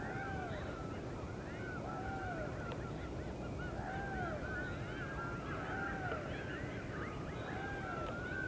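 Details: Hungry great blue heron chicks beg for breakfast in the nest with overlapping, honking, arched calls that rise and fall every second or so, over a steady low background rumble.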